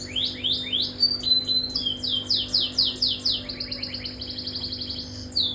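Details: Caged canary singing with long duration: rapid trills of repeated downward-sweeping notes, several rolling tours in quick succession, bright and high-pitched, with a faint steady hum behind.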